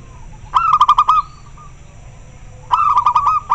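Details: Zebra dove of local stock calling very clearly in response to another; two phrases about two seconds apart, each a mellow coo dissolving into a fast rhythmic stutter of rounded notes, steady low hum behind.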